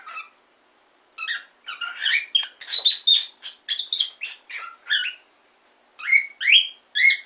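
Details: Pet cockatiel in Fukuoka, Japan, practising talking: a fast run of chirped, speech-like syllables mixing whistles and harsher notes, then a short pause and three rising whistled phrases.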